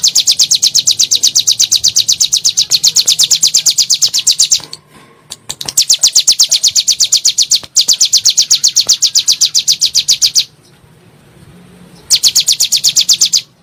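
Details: Bar-winged prinia in a lure recording for stimulating kept birds, in the rapid 'nembak' style: loud, high, sharp chirps repeated about four per second in long bursts, separated by short gaps.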